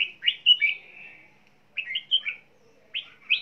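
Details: Red-whiskered bulbul kept as an ornamental bird, singing as it flaps its wings; a clear, liquid whistled phrase with quick up-and-down slurs, followed by two shorter bursts of chirpy notes.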